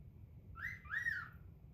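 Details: A male pet cockatiel gives a clear two-note wolf whistle on request: a quick rising note, then a longer rise-and-fall.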